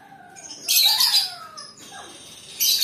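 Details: Lovebird chirping: a long, harsh, shrill burst of screechy notes that breaks into falling whistled tones, then a quieter pause with faint chirps and a second short screech at the end.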